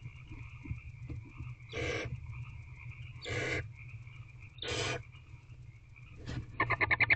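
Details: Wild barn owl owlet in nest box C at 8:09 pm, 15 April 2023, claiming a freshly delivered rodent: three loud rasping hisses about a second apart, then a short burst of rapid clicking chatter, with a constant background hum.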